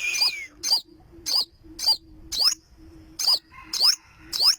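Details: Olive-backed sunbird (burung madu sriganti) singing eight sharp, piercing, high swept notes in quick succession over a faint steady low hum.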